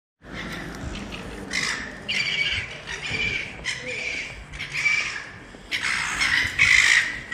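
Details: Very young Silver Gull running around a shopping mall in Ballarat, Victoria, Australia: a series of harsh, squawky calls with a nasal tone, given in irregular bursts every second or so.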